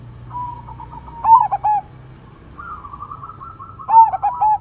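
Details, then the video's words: Zebra dove (perkutut), a crossbred bird with a big voice, singing a single-phrase coo over natural background sounds: a soft sustained note, then a loud burst of rounded, bubbling coos, repeated twice with a quieter trill between. "PERKUTUT CROSSING GACOR SUARA BESAR, vokal engkel"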